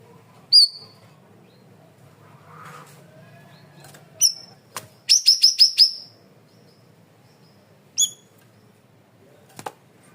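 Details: Cream-vented bulbul, loud and clear masteran recording for training: scattered high ringing chips, then a quick burst of five rapid, bright, stuttering notes, followed by a couple more single chips and a faint click.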